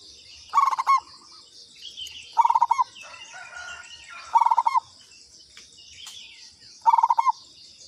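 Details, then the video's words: Lure call of a local zebra dove: four bursts of quick, bubbling coo notes, each ending in a held note and spaced about two seconds apart. Faint chirps from other birds and a constant shrill insect hum run beneath. "Pancingan Perkutut lokal katuranggan"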